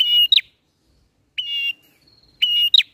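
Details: Bar-winged prinia bird-catching lure song, ngalun style: three phrases, the first and last a level whistle ending in two sharp rising notes, the middle one a longer plain whistle without the ending.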